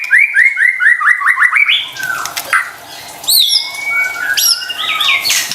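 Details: White-rumped shama song used as a lure to stir idle or stressed caged birds into singing: a run of rapid repeated rising whistled notes, then varied sharp upslurred whistles and high chirps.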